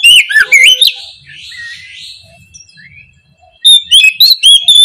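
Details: Morning lure song of an oriental magpie-robin in loud ngeplong style: quick bright whistled phrases open, soft twittering and a faint low hum follow, then a fresh series of sharp repeated whistles closes.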